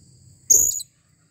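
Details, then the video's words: A blue-crowned hanging parrot calls, giving one shrill, very high squeaky note lasting about a third of a second over a faint steady high hum. "Serindit Memanggil"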